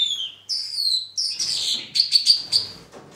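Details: Two-barred crossbill singing despite the weather: clear descending whistled notes, then a jumble of sharp high chirps and twittering phrases with light background noise.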